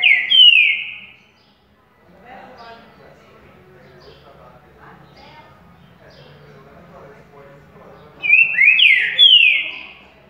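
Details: Green-winged saltator giving its currucutil boi style song on waking: a loud, slurred whistled phrase at the start, about seven seconds of faint low background, then the same phrase of rising and falling whistles again.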